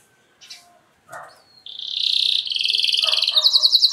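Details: After faint scattered sounds, a luxury-song canary, used as a lure for other canaries, breaks into a sustained high buzzy note that turns into a fast, regular, bell-like trill.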